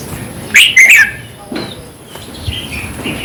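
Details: Red-whiskered bulbul song, played for caged birds to get them excited: a loud, bright burst of two or three quick warbled notes, then softer scattered chirps and a faint high steady hiss in the background.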